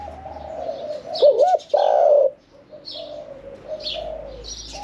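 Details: Caged spotted dove kept for about one year and four months, a middle-voiced bird singing in the 'khan yon 1 kuk' style. It gives one loud, looping coo phrase midway, set against a steady chorus of softer coos from other doves.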